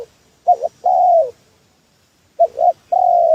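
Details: Trapping lure call of a spotted dove: a notched double coo then a long slightly falling coo, repeated twice after a silent gap of about a second.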